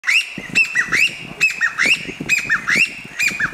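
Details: Chinese bamboo partridge calling: loud, repeated whistled phrases, each with a sharp note and a rising slurred note, about once a second, with faint low rustling beneath.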